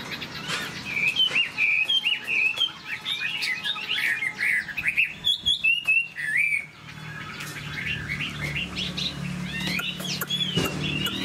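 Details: Caged Chinese hwamei with a spread tail and wing-flicking display sings varied whistled phrases, slurring up and down, with pauses between bursts and laughingthrush-like endings. A low hum rises in the background during the later part.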